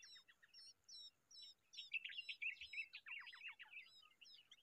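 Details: Common babbler raising a young bird: high squeaky chirps at first, then a chattering run of rapid scratchy notes and quick descending squeaks.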